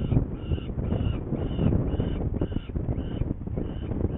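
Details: Saker falcon in Hungary, 21 May 2019, 11:30, going after prey though the birds seem not hungry; steady series of about eight harsh, squealing notes, evenly paced, with rumbling background noise.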